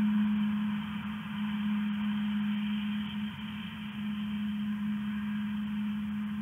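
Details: Constant low mechanical hum with a strong steady drone and faint background noise indoors; no animal voices.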